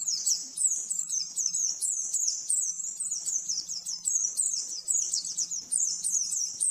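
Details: Oriental white-eye master song for training caged birds, described as rapid and clear: continuous high, thin twittering of fast chirps and trills, bursts rising and falling, with a faint steady hum beneath.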